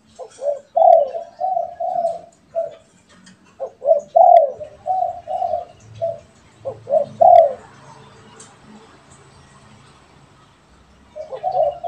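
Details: Spotted doves, one kept and one wild, exchange steady phrases of short and longer low coos, several phrases in a row, then a pause with faint background hiss before coos resume.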